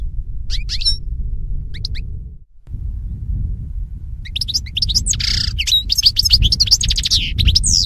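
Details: Goldfinch song used to tutor captive birds, a few sparse chirps at first, then a dense run of twittering, buzzy and trilled notes, over continuous low background rumble.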